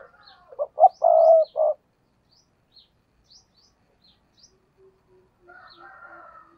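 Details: Spotted dove used as a decoy to lure wild doves, giving one low cooing phrase: two quick short notes, a long drawn-out coo, then a short final note. Afterwards come faint thin chirps and a warbling call from other birds.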